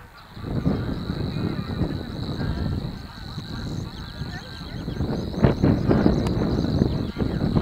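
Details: Reeling song of Savi's warbler (Locustella luscinioides), recorded with a second bird in the Drenthe wetlands of De Onlanden, Netherlands, 22 April 2018: a level, buzzing, sustained trill throughout, with loud wind buffeting that swells toward the end.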